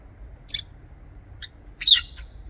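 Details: Aviary lovebirds give a high, squeaky chirp, a faint short note, then a louder, harsh, buzzy squawk with a trailing tiny chirp.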